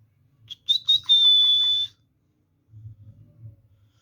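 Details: Green parrot vocalizing while eating food: a few short chirps, then a sustained, clear, high whistled tone lasting about a second, followed after a pause by soft low murmuring sounds.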